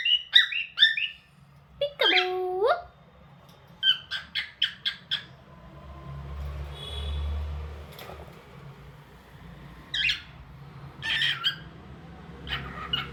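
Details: Domestic cockatiel calling: scattered short chirps and squawky notes in quick bursts, one lower harsh buzzy call early on, with quieter gaps filled by a steady low background hum.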